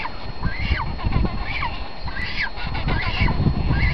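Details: Cormorant chick being fed by its mother: thin, arched, squealing calls repeated about every half to three-quarters of a second over loud, rumbling low-frequency noise.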